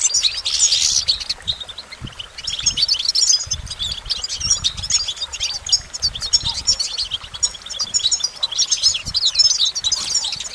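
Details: Goldfinch twittering song in repeated bursts of fast, high chirps and trills, over a background of low rumbling noise.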